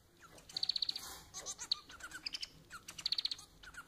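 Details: Domestic society finch (Manon), Lonchura striata domestica, singing: a fast rattling trill, a jumble of buzzy chirps and short slurred whistles, then another rapid trill of clicking high notes.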